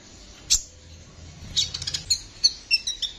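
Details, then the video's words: Kolibri ninja sunbird in tutor-style song: one sharp high chip, a pause, then a rapid cluster of thin twittering notes and short downslurred whistles. "Masteran Kolibri ninja gacor ngeroll juara"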